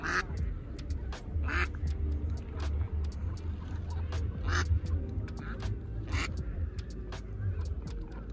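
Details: Female mallards, a pair of adult hens tending ducklings together. Several brief raspy quacks come at irregular intervals over a constant deep rumbling noise.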